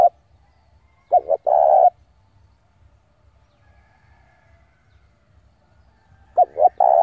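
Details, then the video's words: Spotted dove decoy calling wild rivals to fight gives one full coo of two quick notes and a long hoot, a long pause, then begins the next phrase. "tiếng chim cu gáy gọi bổi về cội để đấu của con chim cu gáy mồi giọng gáy hay cực chuẩn kích bổi"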